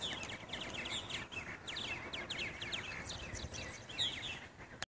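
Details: Purple martins at bird houses in Edmond, Oklahoma, giving a busy run of rapid, high chirping and twittering notes that overlap almost continuously, with a hiss of background noise beneath.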